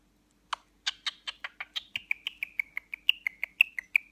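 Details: A one-eyed male pet cockatiel that talks and whistles gives a quick run of bright, chirpy whistled notes, several a second, very loud and close to its owner's ear.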